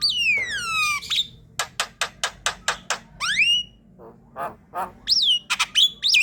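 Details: Javan myna calling loudly to lure flocks: a long descending whistle, then a rapid row of sharp ticking clicks, a rising whistle, harsh rasps, and bright whistled loops at the close.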